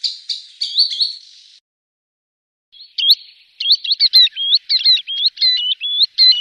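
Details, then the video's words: Green sandpiper calling, recorded as a hunting lure: a burst of clear high whistles, a short silence, then rapid chains of sweet, upward-hooked whistled notes in quick succession. "Green Sandpiper Bird call"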